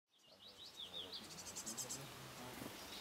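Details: Great tits, a pair nesting in a nest box in summer 2011 and working hard to raise their young, give a quick run of short, high chirping notes, then fainter thin, very high calls, over steady rushing background noise.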